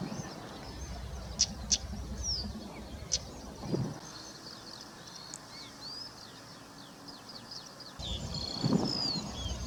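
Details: Stonechat family with three fledged young at Nightingale Ponds on 19 May 2024: a scatter of thin, high chirps and whistles with a few hard clicking tchaks, over a low outdoor rumble.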